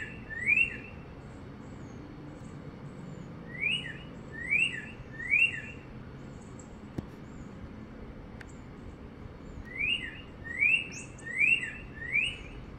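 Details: Northern cardinal sitting on a wire in sunny North Central Florida, spring 2022, repeating crisp down-slurred whistles in bursts of one, three and four notes, about two per second within each burst, over quiet background.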